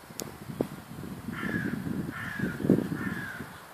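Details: Morning bird calls in a Warsaw housing estate, Służewiec: three hoarse, drawn-out caws roughly a second apart over a low background rumble and scattered knocks.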